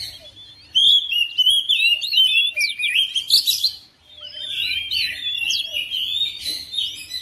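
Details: Home-kept oriental magpie-robin singing in reply to another bird: faint start, then two long outbursts of fast whistles, sharp sweeps and harsh notes split by a brief gap.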